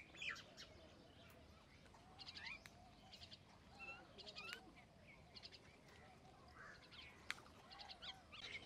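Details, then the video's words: Common myna giving rapid bursts of harsh, stuttering chatter, several buzzy clusters spaced a second or two apart, interspersed with brief whistles and a soft background hum. "Common myna bird song"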